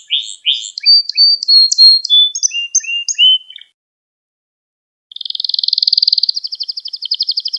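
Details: Canary song used to train young canaries: varied short whistles, slurred notes and chirps for about three and a half seconds, a silence, then a long buzzy rolling tour followed by a fast pulsed trill.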